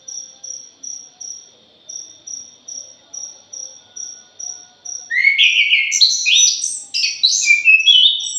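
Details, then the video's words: Punglor jali thrush, lure to make birds sing: after five seconds of rhythmic insect pulsing, a loud, sustained stream of varied, rapidly shifting whistles and chatter fills the rest. "PANCINGAN PUNGLOR JALI"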